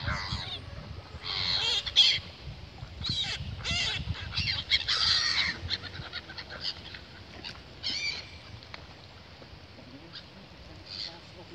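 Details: Gulls screeching in the Goese Polder residential neighbourhood of Goes, where residents complain of the noise and droppings. Harsh, broadband squawks come in irregular bursts, clustered in the first five seconds, then sparser and fainter calls with a low background rumble.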